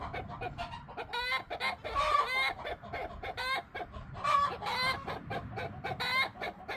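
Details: Several backyard chickens, bantams and silkies among them, chatter together, a dense run of harmonic clucks and drawn-out squawking calls overlapping almost continuously, with a few brighter rising notes.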